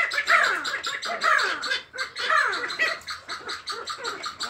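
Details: Sandgrouse beginning mate selection give harsh, throaty, downward-slurred calls about once a second, overlapping into a rough, rhythmic chorus.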